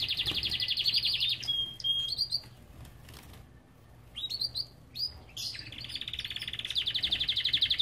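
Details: Aviary-kept Belgian canary song: a long, even, high rolling trill, a pause with scattered sharp chirps, then another sustained fast trill that runs to the end.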